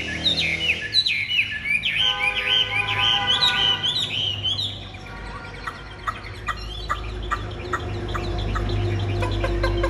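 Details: A kept Chinese hwamei with white wing feathers gives a burst of loud, descending whistled notes, then shifts into scattered sharp clicks and a steady low tone. Background rumble is present throughout.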